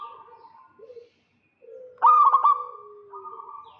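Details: Zebra dove, local and vocal, luring a rival: soft drawn coos and low purring notes, then one loud stuttered burst of ringing notes running into a long, even, fading tone.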